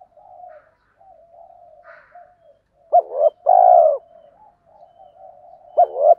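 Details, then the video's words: Soft, low murmuring from a spotted dove pair, male and female, used to excite birds in training, breaks into a loud hollow two-part coo, with another coo starting at the end. "Chim cu đất thúc gù"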